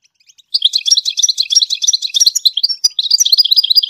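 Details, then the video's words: Goldfinch singing to its chicks to teach them to sing: continuous high, fast twittering with tinkling, jangling notes and brief buzzy trills, with no pauses. "the goldfinch sings to teach the chicks to song chirp"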